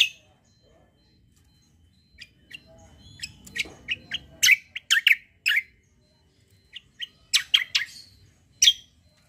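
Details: Kecial kombo white-eye, in top fighting form and used for song training, delivers clusters of loud sharp chirps and squeaky notes in irregular bursts, with faint murmuring in the background early on.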